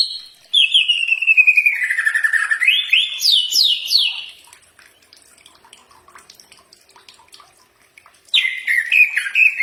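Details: Common iora song for training birds to answer: a long downward-sliding whistle, then a burst of rising notes. Faint watery background in a gap before the whistling resumes.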